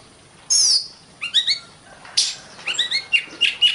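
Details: Oriental magpie-robin song for training competition birds: a loud high whistled note, quick paired chirps, then a lively jumble of short whistles and trills.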